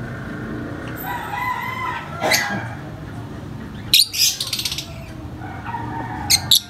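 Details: Very vocal lovebirds giving high-pitched chirps: three separate bursts of shrill, piercing chirps spread over several seconds. Quieter background noise and a low hum fill the gaps.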